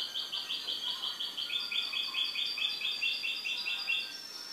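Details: A caged goldfinch delivers a continuous, fast, rhythmic series of repeated high chirping notes throughout, like an evenly pulsed trill.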